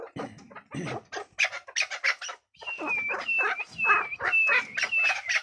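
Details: Partridges calling for hunting: rough clucking bursts, then a clear whistled note dropping slightly in pitch, repeated about every half second among chattering clucks.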